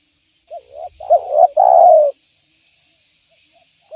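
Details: Spotted dove cooing as a lure for other doves: soft stuttering notes rise into arched hoots, then a long loud rolling coo, followed by quiet.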